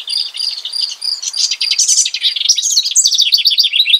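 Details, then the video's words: Bubbly, fast-chattering song of a house wren (Troglodytes aedon). It starts with evenly spaced high chirps, then builds into a long, excited cascade of trills and buzzy rattles that rises and falls. "Singing House Wren.(Troglodytes aedon)."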